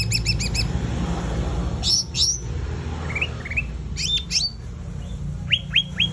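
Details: Sumatran laughingthrush singing gacor tembakan over a noisy, rumbling background: a quick opening rattle of high chirps, then scattered pairs of sharp falling whistles and a few softer notes.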